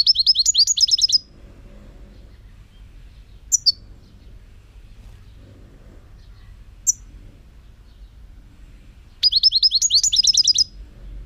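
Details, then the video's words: European goldfinch song from 2018: two bursts of quick, high, tinkling notes, about a second each, separated by a long quiet gap with a couple of single sharp chips. "chant chardonneret 2018"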